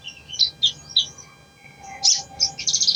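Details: Brown-throated sunbird song from a lure recording for a lazy bird: a few sharp, separated high chirps, a brief pause, then a quick burst of buzzy twittering.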